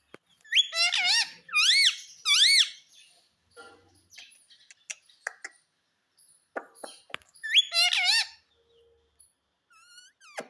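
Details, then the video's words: Pet green ringneck parrot indoors, a talking bird repeating a word: loud harmonic rising-falling syllables in bursts of three, a pause with scattered clicks and soft squeaks, then another three-syllable burst and faint chirps. "Talking Parrot || Mummy Mummy Bolne Wala Parrot"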